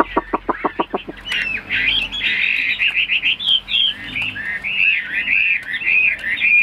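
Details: Caged Chinese hwamei in Vietnam opening with a burst of about eight sharp, evenly spaced clicking notes, then flowing into a continuous warbled whistling song with rolling repeated phrases.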